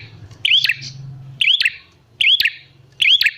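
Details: Bar-winged prinia used as a lure to make wild prinias answer: a bright, upward-hooked chirp with sharp clicks, repeated about every second, over a low hum.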